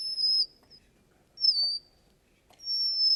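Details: Russian canary in a singing contest: three clear, high whistled notes, each sliding downward and separated by pauses of about a second, on a faint quiet background.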